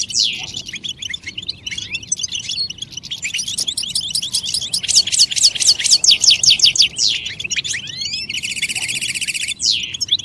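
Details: European goldfinch, song used to encourage other goldfinches to sing: lively twittering building into a run of rapid descending slurs, then a buzzy rattling trill near the end and a final sweeping note.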